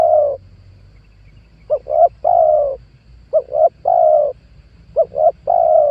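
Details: Spotted dove lure call for trapping wild doves: ends of a long coo, then three phrases of two short coos plus a longer sustained coo, about 1.6 seconds apart, with a low rumbling background.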